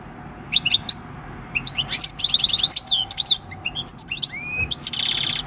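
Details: Six-year-old wild-caught European goldfinch singing its field-style song, recorded 26 December 2019: liquid twittering bursts, a fast run of repeated high notes near the middle, a rising slur, and a buzzy harsh burst closing the phrase.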